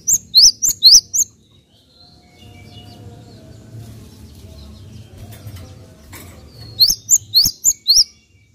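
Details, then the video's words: Java sparrow, known locally as gelatik, giving bright high chirps that rise then fall, in a quick burst of about six notes, a quiet gap of several seconds, then another burst of about six notes, with low background rumble. "AMPUH MERANGSANG BUNYI GELATIK"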